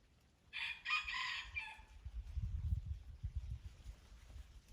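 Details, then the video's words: Crow of a red junglefowl recorded at Durung, Krueng Raya in Aceh: one brief, hoarse broken phrase lasting about a second, followed by low rumbling background noise. "Ayam Hutan Aceh # Kokok Ori Durung Krueng Raya"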